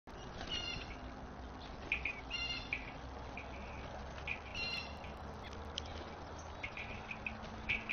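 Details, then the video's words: A young eastern bluebird divebombs a starling, then gives harsh, scratchy, somewhat mewing warning notes in short bursts every second or two, over a steady low hum; a hawk was possibly nearby. "Eastern Bluebird tries out warning call with Starling"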